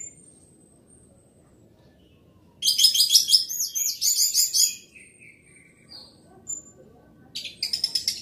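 An orange-headed thrush sings loud, rapid bursts of high, varied whistles and chattering trills, two outbursts separated by a quiet pause over a low background hum.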